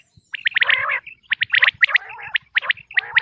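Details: Common quail from Pakistan, locally batair, producing dense overlapping calls: quick high clipped notes mixed with rasping, lower, harmonic sounds.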